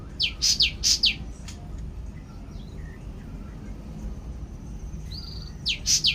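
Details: Cucak ranting chirping in the morning: a burst of four loud, sharp, high downslurred notes, a quiet pause with a few soft twitters and one brief level whistle, then another trio of sharp falling notes, over a constant low hum.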